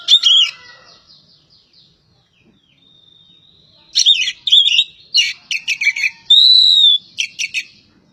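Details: Javan pied starling from Java: a brief chattering burst, a long quiet pause, then scratchy notes and a loud sustained whistle among clipped chirps.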